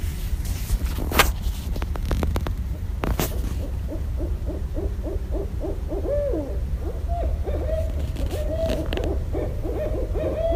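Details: Barred owls calling in Westchester, New York, recorded 5.1.17; after a few sharp knocks, a long rapid series of excited hooting notes builds into wavering, rising-and-falling cackling hoots over a low background rumble.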